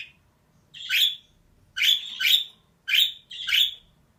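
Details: Female budgerigar giving five grating chirps, mostly in pairs about half a second apart, over faint low room hum.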